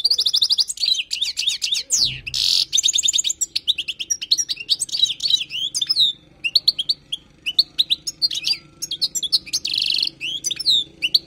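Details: European goldfinch, wild bird, song for tutoring: continuous rapid twittering with sweeping chirps and several harsh buzzy bursts, steady and lively throughout.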